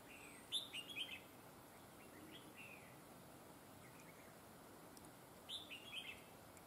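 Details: Red-whiskered bulbul decoy bird used for trapping, praised for a fine voice with double linked phrases: two short bursts of bright warbled, chirping notes about five seconds apart over a steady hiss of background noise.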